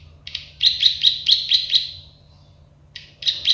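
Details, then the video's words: Plain prinia (prenjak sawah) in a tutor recording: a short burst of about six buzzy notes that fades out, a pause, then a few more chips starting again. "Masteran burung prenjak sawah klik-klik"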